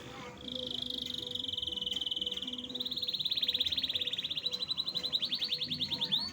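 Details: Canary singing in a long, steady trilled phrase, first a fine buzzy roll, then shifting at about three seconds into a slightly higher, coarser rattling trill that pulses rapidly and quickens toward the end. Faint low background hum.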